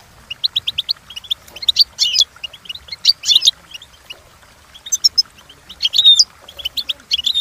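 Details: European goldfinch song for training: runs of quick tweets broken by loud tinkling, buzzy bursts and clear whistled notes, lively and high-pitched throughout.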